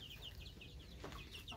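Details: Egyptian Fayoumi chickens about two months old, several birds giving short, high, descending peeps in quick overlapping series throughout, over a steady low rumble of background noise.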